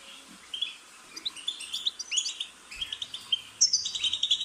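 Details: Song of a European goldfinch, played to encourage a pet bird to sing: quiet at first, then a run of tinkling twitters and high clipped chirps that grow louder and busier toward the end.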